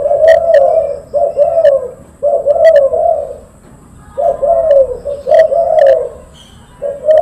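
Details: Silver spotted dove calling loudly and persistently. Low, rounded coos come in bursts of several linked notes, with a quieter gap in the middle, then resume, ending on a cut-off coo, against a faint steady hum.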